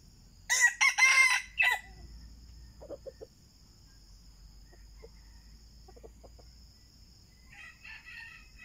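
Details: Red junglefowl lure recording: one loud, harsh, clipped crow lasting just over a second, then soft low clucks and a fainter crow, over a steady high insect hum.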